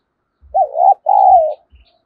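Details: Cooing spotted dove, recorded as a lure for wild doves. A single hoarse two-part call, a brief curling note followed by a longer, steady, slowly falling coo. Dull low knocks are heard around it.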